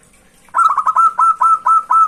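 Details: A local zebra dove sings clearly, a song meant to draw in rivals. After a moment of quiet it starts a quick, staccato string of soft coos, tightly bunched at first and then settling into an even rhythm of evenly pitched notes.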